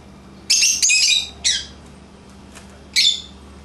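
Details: Pet lovebirds playing outside their cage: three loud, harsh, high-pitched screeching squawks, the first long and raspy, then two shorter bursts spaced about a second and a half apart over a quiet room hum.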